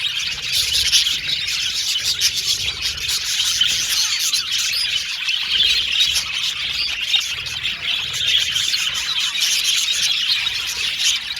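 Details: A flock of contented Australian budgies keeps up steady chatter, high scratchy chirps, soft trills and squeaky notes blending into one continuous, busy sound.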